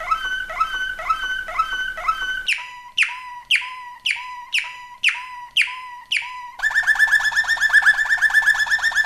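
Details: Waterslager (Malinois) canary singing: about two seconds of rhythmic harmonic notes, then sharp descending drop-like notes roughly twice per second over a steady low tone, ending in a fast rolling trill.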